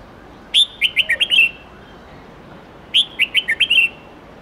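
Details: Red-whiskered bulbul repeating the same phrase twice, roughly two and a half seconds apart: a sharp opening whistle and five tumbling notes, in the many-voiced forest 8-9-10 note style meant for tutoring young birds.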